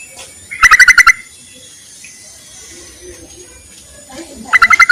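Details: Yellow-vented bulbul summoning males, suitable as a lure for trapping. A crisp run of five or six fast, bright chattering notes, then a quiet gap, then a second similar burst at the end.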